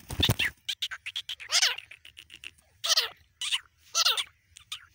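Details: Grey francolin, a male and a female calling, kept as a hunting partridge: irregular bursts of harsh, ringing notes with falling slurs, some loud and some soft, over a faint low rumble.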